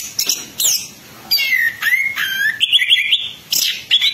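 Orange-headed thrush singing a lively medley of clear slurred whistles, sharp high chips and quick trilled phrases, bursting out in short loud bouts.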